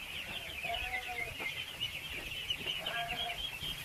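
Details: Thousands of ducklings being fed, giving a dense, continuous chorus of high, rapid peeps, with a few lower drawn-out harmonic calls rising over it.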